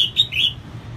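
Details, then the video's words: Female red-whiskered bulbul singing to excite males: a brief run of three sweet, slurred whistled notes, then quiet hum. "CHÀO MÀO MÁI SIÊNG HOT KÍCH TRỐNG CĂNG LỬA"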